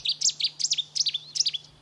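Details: At Lago di Pergusa nature reserve, Enna, Sicily, a shy, hard-to-see Cetti's warbler in reedbed bursts into loud, explosive song of about five quick, sharp, high chirping phrases over a faint hum, singing all day for love and territory.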